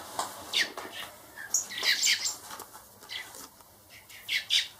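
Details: Young hand-reared blackbirds, four nestlings destined for release, make scratchy high chirps mixed with fluttering and rustling sounds, the calls coming in scattered, uneven bursts.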